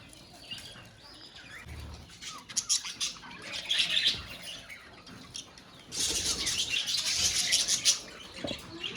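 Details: Budgies in a colony chatter in high twittering notes, at first softer and scattered, then after a pause swelling into a loud continuous mass of overlapping chirps and warbles.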